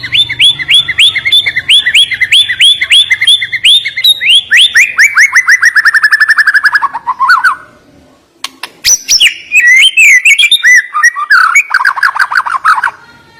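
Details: Murai batu, the white-rumped shama, delivering a long series of rapid repeated notes that gradually step down in pitch, then after a short silence bursts into varied twisting whistled phrases.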